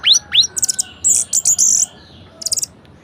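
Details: Varied, vigorous singing from an orange-headed thrush, meant to stir reluctant thrushes to sing: two quick upslurred whistles, then fast staccato chips and very high, scratchy trills in dense bursts.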